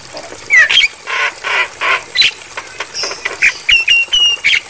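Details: A Javan myna sings on a tutor recording meant for other mynas: a chattering mix of harsh, squawky bursts and sharp whistled notes in quick uneven phrases about twice a second.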